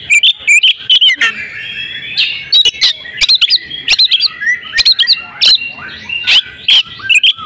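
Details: Female oriental magpie-robin in breeding condition, a call to trigger males into song: a long irregular stream of sharp chips and whistled notes in clumps, with a softer warbling underneath.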